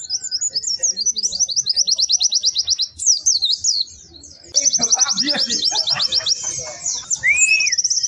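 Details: White-eye in vigorous, melodious song: fast, high, thin trills of repeated notes. A brief break comes near three seconds, then a long, dense trill from about four and a half seconds and a short rising slur near the end, with faint lower sounds beneath.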